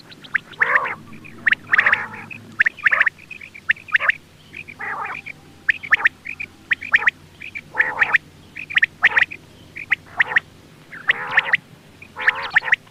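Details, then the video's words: Extended morning sequence of quail calls. Harsh bursts repeat roughly once a second, interleaved with thin, high, clipped notes, and a faint low hum runs underneath for part of it. "Quail sounds , batair ki subbha keliye awaz,batair ki awaz ,morning awaz"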